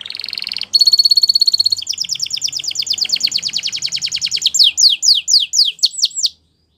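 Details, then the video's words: Spanish Timbrado canary singing: a steady trill, then a rapid metallic rattle of fast repeated notes, ending in a series of loud down-slurred whistles, about six per second. "Timbrado Canary Singing"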